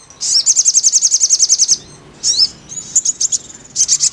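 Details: Crimson sunbird in therapy audio for getting the bird to sing: a brisk trill of about sixteen shrill notes, a sweeping chirp, softer rapid notes, then another high burst at the end.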